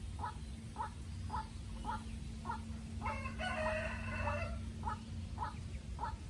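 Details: White-breasted waterhen calls from a young decoy bird facing a wild rival: steady short hoarse notes repeated about twice a second, broken midway by a rooster crowing loudly nearby.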